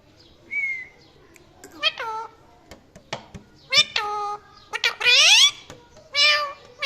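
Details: A parrot gives a short whistle, then several loud, nasal, descending calls rich in overtones. Between them are brief clicks, and the sequence ends in drawn-out harsh wailing notes.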